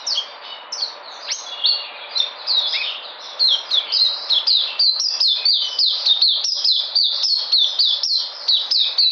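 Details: Kept white-eye (puteh) recorded 13 February 2020, regaining its energy: a continuous, rapid high-pitched twittering of thin, sweet chirps and short descending slurs, delivered in dense rhythmic runs with barely a pause throughout, no other sounds intruding.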